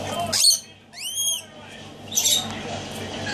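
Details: Pet Rainbow Lorikeet playing, hatched in October 2013: a shrill screech, then an arched, whistled note with rich overtones, then another raspy high screech, against a low indoor hum.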